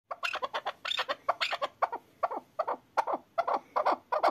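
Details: Excited hunting chukar partridge calling: a fast run of harsh, clucking chuk notes, roughly two or three per second, uneven in spacing and growing slightly louder toward the end.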